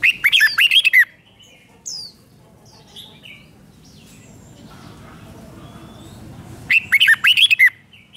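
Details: Red-whiskered bulbul, Thailand, singing a five-syllable song with repeated doubling. A brisk warbled phrase at the start and another matching phrase after a long pause, with scattered faint chirps from other birds between.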